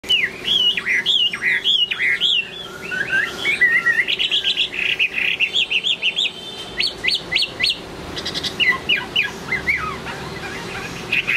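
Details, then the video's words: Chinese hwamei singing late in the afternoon: a rich run of loud whistled phrases, slurred up and down and repeated in quick bursts, with sharper rising notes near the end and a steady low hum behind. "Chiều muộn thư giãn cùng Hoạ Mi Duy Minh ae nhé !"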